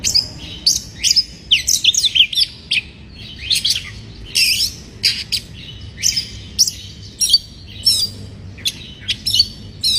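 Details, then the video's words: Breeding-condition white-rumped shama singing to provoke rivals: bursts of sharp chirps, quick sweeping whistles and dry rattling notes, delivered in rapid uneven phrases over faint low background noise. "Pancingan Suara Kacer Bikin Emosi, Suara kacer Naik Birahi"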